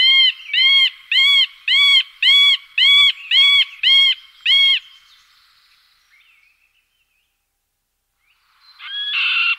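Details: Male middle spotted woodpecker song: eight nasal, whining, arched notes in an even series, roughly two per second, then silence and a brief burst of noise at the end.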